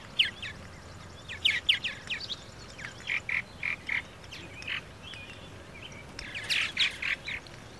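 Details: Purple martin giving scattered chirps, short clear whistled notes and rough chattering notes in uneven bursts, with short pauses between groups.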